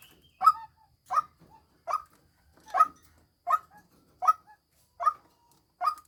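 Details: Decoy female white-breasted waterhen giving eight coarse, nasal calls at an even rhythm of roughly three-quarters of a second, in near silence.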